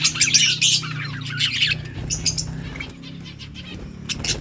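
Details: Yellow budgerigars chirping in a flock: dense, scratchy high warbles and squawky notes in fast irregular bursts, with a low steady hum underneath.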